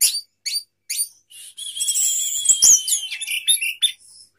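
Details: Sapu jagat song of an orange-headed thrush spreading its tail. Three short bright chirps are followed by a continuous tangle of high whistles, sweeps and chatter.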